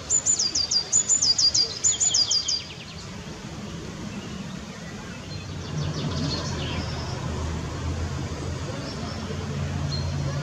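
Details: White wagtail in the Eifel at Bad Bertrich, Germany: quick bursts of high, sharp chirping notes over the first few seconds, then a few fainter, distant chirps over a steady low rumbling background.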